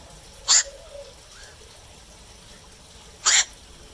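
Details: Black-crowned night heron calling at night: two short, harsh, rasping squawks about three seconds apart over a quiet background.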